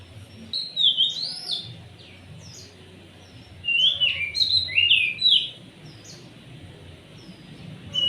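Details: Oriental magpie-robin singing vigorously, played to lure other birds into song: loud, clear whistled phrases sweeping up and down in separate bursts, with quieter chirps and short notes between them and a low background hum.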